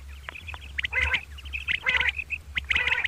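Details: Common quail calling in the morning, two birds: thin chirps near the same pitch repeat about once a second, broken by three loud harsh, rasping bursts, over a low steady hum.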